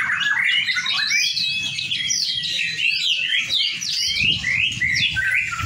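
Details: White-rumped shama in a shared training session, singing a dense, continuous run of varied whistles and sharp chirps with no pauses, over a steady low rumbling background.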